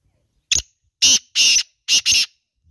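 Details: {'caption': 'Female black francolin calling: five harsh, grating high notes, one short note followed by four longer rasping bursts in two pairs, all within under two seconds, against silence.'}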